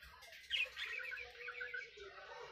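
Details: Young parakeets calling at night: a sharp squawky chirp, then a continuous stream of quick, scratchy twitters that rise and fall, over a quiet low hum.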